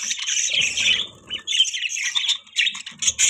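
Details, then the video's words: Several buzzy budgie warbles run on in quick succession, rasping and high, over a brief low rumbling noise early in the clip. "Beautiful Budgies Chirping Sound"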